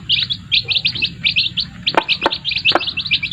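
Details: Chicks with their mother hens: steady high, chirpy cheeps in quick groups, punctuated by three sharp knocks or clucks midway, over a faint low hum.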